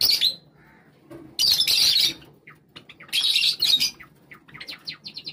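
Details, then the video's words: Java sparrows gathering together as a flock at a call from one bird, giving bursts of high chirping and squawky notes in dense overlapping clusters, with short pauses and scattered sharp single chirps between. "At a call from the chief, all the birds gathered together | java birds sound | java sparrow sound"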